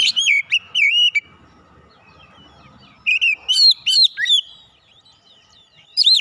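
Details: Oriental magpie-robin (kacer) with a fighter character, singing loud bright whistled phrases that swoop and warble, broken by a few seconds of quiet before rising, sharp notes return.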